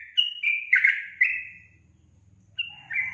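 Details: Sooty-headed bulbul (trucukan) singing gacor: a rich, slurred phrase of bubbly whistles, then a pause filled with a low rumbling hum before a further burst of warbled notes.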